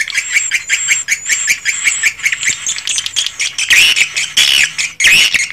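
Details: Swiftlets in their own swiftlet house, a thick wash of high chattering calls with thin whistled strands above, and louder harsh bursts near the end.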